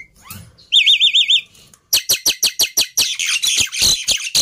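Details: Black-winged myna giving a wavering, warbled whistle, then a steady series of loud harsh notes about five per second, merging into a rough, continuous chatter.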